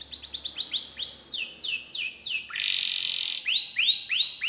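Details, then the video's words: Canary song with quick upslurred whistles, four falling swept notes, a rough buzzy stretch, then rising whistled notes again. "KENARI GACOR CENGKOK ISTIMEWA,ISIAN MEWAH"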